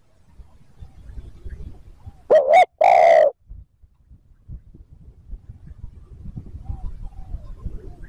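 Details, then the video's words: Spotted dove giving a luring 'thúc gù' coo, with a quick wavering double note and then one long, deep hoot. Low rumbling background noise is heard before and after. "TIẾNG CHIM CU GÁY THÚC GÙ KÍCH BỔI NHANH NỔI CỰC SUNG, MỒI NGHE LÀ GÁY"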